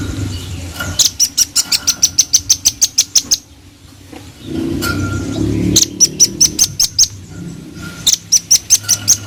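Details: Velvet-fronted nuthatch singing energetically: three rapid trills of sharp, high, ringing notes, each around five per second, the first lasting over two seconds, separated by short pauses with low rumbling background noise.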